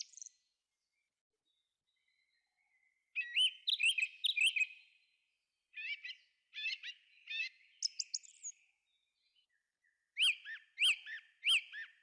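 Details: Thrush singing in a forest: three bursts of bright, varied whistled and chirping phrases separated by short pauses, the last burst repeating one sharp note three times in quick succession; no other sounds stand out.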